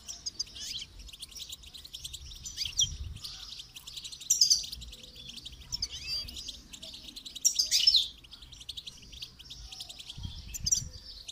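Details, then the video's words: Goldfinch singing in a song-training recording, a long run of rapid, tinkling, high twitters with brighter, louder bursts around four and eight seconds and soft low background noise. "Motivational rewards for training goldfinch to song"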